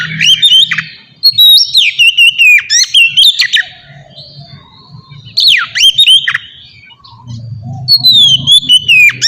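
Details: Oriental magpie-robin singing ngeplong, a style used to make young birds sing sooner. Three long bursts of sweeping whistles and fast chirps, split by quiet gaps of about two seconds, over faint low rumble.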